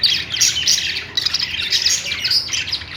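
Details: Budgerigars, kept pet birds, singing a loud continuous warbling chatter of rapid, scratchy chirps and squawks with no pauses.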